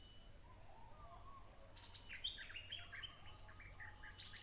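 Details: Stripe-throated bulbul singing nonstop in the wild, smartphone recording from 15 June 2021: after a quiet start, a lively run of short warbled, slurred notes tumbles along. A constant shrill insect whine continues throughout.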